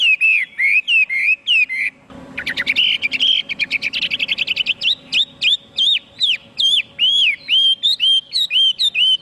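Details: Chinese hwamei in full song: loud, looping whistled notes that bend up and down, then a burst of fast, jumbled, rattling notes, then steady clear whistles repeated in quick succession to the end.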